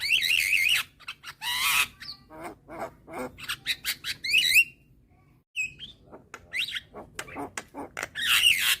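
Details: Javan myna, a young white-eyed bird calling eagerly with head-bobbing to draw in other mynas; loud raspy squawks and wavering whistles, short clicking chatter, and a brief near-silent pause midway.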